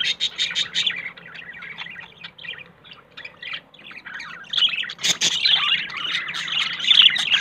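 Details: A pairing budgerigar couple, the male yellow and the female blue, searching for a nest, keep up a rapid run of chirps and squeaky warbles, quieter midway and then swelling into dense chatter.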